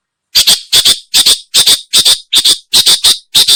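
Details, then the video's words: Long-tailed shrike call used for luring birds. Harsh, rasping double notes repeat steadily about two and a half times per second with silence between. No other sounds are heard. "Suara burung pentet/cendet cocok buat pikat"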